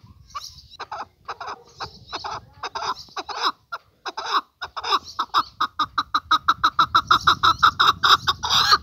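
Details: Calling male chukar partridge: scattered clucks build into a quickening, regular chukking series that grows louder and denser toward the close, with a faint low hum underneath.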